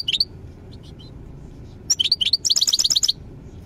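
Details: European goldfinch: lively high twittering, starting with a few scattered chirps, then a rapid run of bright, tinkling notes strung closely together for over a second against a quiet background.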